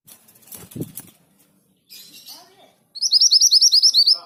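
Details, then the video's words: Orange minivet (sepah hutan, mantenan gunung) singing vigorously: after low thumps and a faint chirp, a rapid run of about twelve high, rising whistled notes fills the final second and a half. "Burung sepah hutan gacor / mantenan gunung gacor (orange minivet)"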